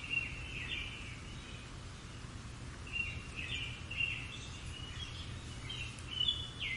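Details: A European robin sings short, thin warbling phrases in a high register, a few seconds apart, in the morning among countryside ruins, over a steady low rumble of background noise.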